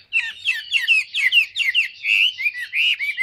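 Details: Tame, large captive Chinese hwamei that sings a great deal, giving a fast, continuous run of rich, varied whistled phrases slurring up and down, with no other sounds.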